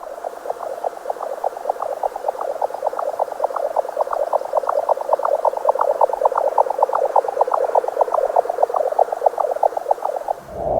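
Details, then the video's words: A Jack Snipe gives a long run of muffled, hollow knocking pulses, about eight a second, steady and mid-pitched like a distant cantering horse, with no other sounds. "To top it all off, if its amazing camouflage skills and dancing talent weren't already enough, the Jack Snipe is also capable of producing a sound that I honestly find very hard to describe."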